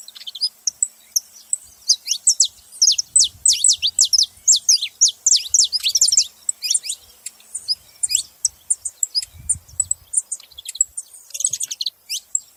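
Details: Long bout of saffron finch song: dense, high, sharply slurred chirps tumbling in irregular runs, busiest in the middle, with brief low thumps.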